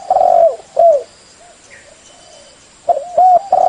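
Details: Loud, full spotted dove coos meant for luring wild birds: two strong notes, a pause of soft, quieter cooing, then a rapid trio of ringing coos; a thin constant hum sits in the background.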